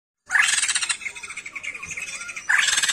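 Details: A sijambul songbird, described as singing actively ('gacor'), gives harsh, buzzy, squawking notes rich in overtones. They come in a dense rapid run, pause briefly, then a second loud burst starts.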